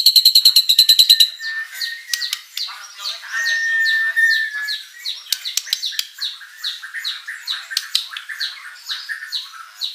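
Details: White-rumped shama (murai batu) in full lure song with fill-in phrases: a brief rapid high trill, a drawn-out level whistle, then a long run of quick varied chips and slurred notes.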